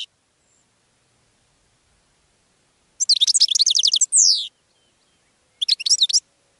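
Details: Goldfinch song: after a silent start, a dense burst of rapid, high twittering notes with a few downward-slurred whistles, then a shorter sparkling phrase near the end.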